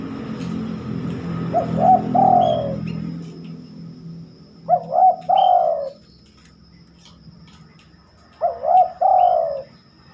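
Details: Spotted dove cooing at night, seldom done by this bird: three phrases about three seconds apart, each two short hooked notes and a long falling coo, with low rumbling noise at the start.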